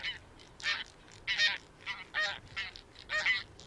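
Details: Several Taiga bean geese (Anser fabalis) give a series of harsh, nasal honks, roughly one or two a second, with overlapping calls suggesting more than one bird.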